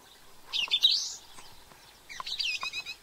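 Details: Introduced song thrush in New Zealand giving two bursts of complex, high, chattering and twittering phrases, separated by a second's pause.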